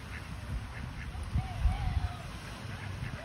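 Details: Several happy ducks, flapping their wings, give soft, nasal quacks and chatter in quick, irregular bursts over a low rumble of background noise.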